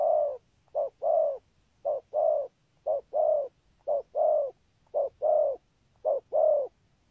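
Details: Paired coos from a spotted dove praised for its song pattern, good rước and thúc gù. A quick short coo leads into a fuller rounded coo, and the pair repeats regularly about every second.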